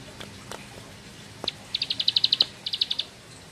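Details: Bar-winged prinia (ciblek sawah) giving a quieter 'ngebren' song: a short run of crisp, high chirps, briefly broken, then a few more notes, with scattered faint clicks and background noise.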